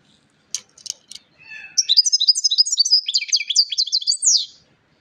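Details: Singing European goldfinch: a few short clicks, then a lively stream of high, fast twitters and trilled notes lasting nearly three seconds.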